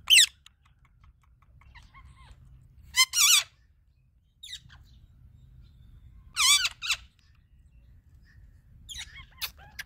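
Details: Indian ringneck parakeet, described as a talking pet parrot, giving short harsh raspy bursts spaced a few seconds apart, with a faint rising note and a soft low hum underneath.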